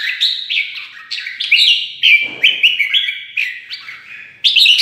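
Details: Red-whiskered bulbuls are stimulated to fight and pour out bright, chirpy, liquid phrases almost without pause, overlapping as if several birds are trying to outsing each other.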